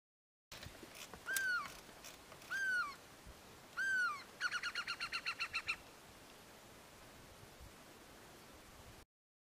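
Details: Great spotted cuckoo showing two call variations: three harsh, slurred rising-falling calls, then a fast rattling chatter of about ten grating notes; quiet background.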